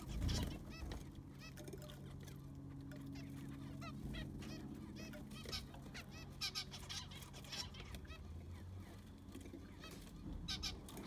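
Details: Zebra finches calling inside an aviary as its sand is replaced; several birds give brief nasal, honking beeps, scattered and overlapping throughout, over a low droning hum and occasional clatter.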